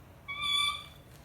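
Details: Charlie, a pet Indian ringneck (Kramer's necklace) parrot, gives one steady, nasal, whistled note lasting about half a second, held flat in pitch, over a quiet background.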